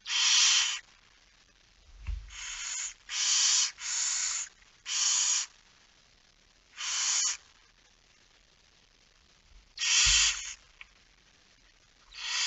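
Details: At a barn owl nest at night during feeding, 10 September 2019 at 22:45, loud rasping hisses come in irregular bursts, each under a second long, about eight in all, with a couple of low thumps in between.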